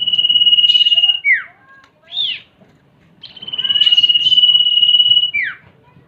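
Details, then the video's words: Female and male common iora calls combined as a lure: a sustained high whistled note held over a second, then a sharp downward slur and a brief rising-falling chirp, repeated twice. "pancingan burung cipo.kombinasi suara cipo betina dan jantan"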